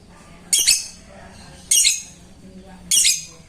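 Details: Lovebird calling a rival, a call used to stir lazy or unmotivated lovebirds into sound; three harsh, raspy, high bursts about every 1.2 seconds, each rising and falling in loudness, over a faint low hum.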